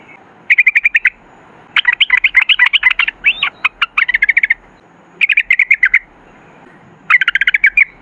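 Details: Yellow-vented bulbul giving 'ropel' lure song: quick trilled bursts alternating with longer tumbling phrases of bright whistled and chattered notes, with short gaps between.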